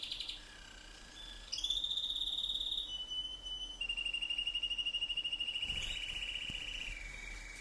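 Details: Canary song indoors: a brief note, then long sustained rapid trills at steady pitches, stepping down in stages, each held several seconds, with a faint hum behind.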